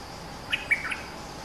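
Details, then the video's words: A bulbul (nok dok taeng), the fierce territory holder kept as a lure singer, gives a brief run of three clear, liquid whistled notes, the middle one loudest. "เสียงนกดอกแตง Ep.212 จ้าวถิ่นดุ!! สับเพลงยาวน่าฟัง Suara pikat merbah lekir gacor"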